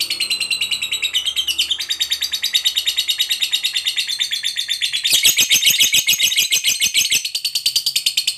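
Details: Lengthy ngekek chatter of a fighter lovebird, used as a lure so that a usually quiet lovebird answers: dense, rapid, buzzy pulsing trill running on without pause, growing louder and harsher midway.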